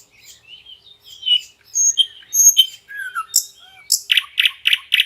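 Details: Common nightingale in song within a lush forest along a trickling river. Varied whistles and chirps give way to a fast run of loud, repeated stuttering notes.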